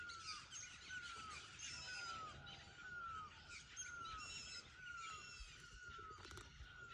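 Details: Forest bird's mating call: a steady run of short, slightly falling whistles roughly once a second, with higher thin chirps from other birds scattered above.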